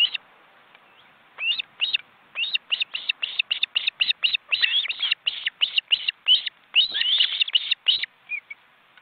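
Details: Ospreys at a nest in an Estonian forest reserve, large nestlings flapping their wings in the crowded nest with parents, in 2015: a fast series of sharp, high whistled chirps, about three a second, in steady bursts with brief pauses.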